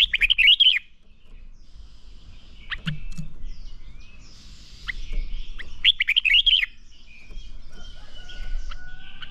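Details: Red-whiskered bulbul singing in a training recording meant to push a bird into song: a rapid rolling warbled phrase, a long quieter stretch of scattered chirps and distant twitters over low rumble, then the same phrase repeated.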